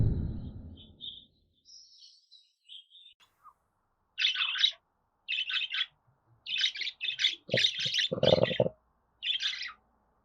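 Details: Pet budgerigar sounds meant to be played to other budgerigars so they respond and sing; after low rumbling noise at the start, short harsh chirps come in bursts, clustered densely near the end.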